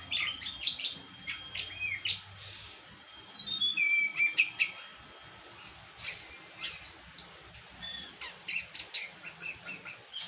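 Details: Oriental magpie-robin (kacer) singing a varied run of clear whistled phrases: sharp rising and falling notes, a long descending slurred whistle near the middle, then quick chirps and twitters with short pauses, over a faint steady background hiss.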